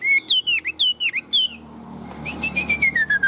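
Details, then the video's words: Tame, large-bodied Chinese hwamei singing in a cage. Loud whistled notes with sharp down-up turns repeat about three times a second, followed by a quieter stepwise falling run of whistles. "Chim họa mi thuần - Bộ To - Hót hét rất tốt"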